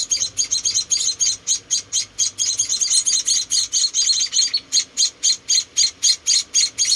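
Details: High thin chirping from four rescued baby munias during feeding, short bursts repeated around four times a second with brief gaps, a steady insistent chatter.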